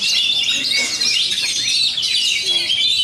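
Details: A champion oriental magpie-robin from Bogor performing at a songbird contest arena pours out a dense, loud, unbroken stream of high, varied whistles, chatters and squeaky phrases, with other birds singing over one another throughout.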